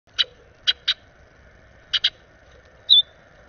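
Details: Orchard oriole on a snowy morning, May 8, 2020, giving harsh, dry chuck notes, single and in quick pairs, then one short high whistled note; quiet background otherwise.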